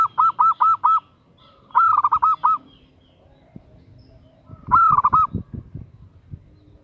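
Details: A female zebra dove repeatedly calls a male, giving three bursts of quick, soft, rolling coo notes separated by short pauses, with some low background knocking.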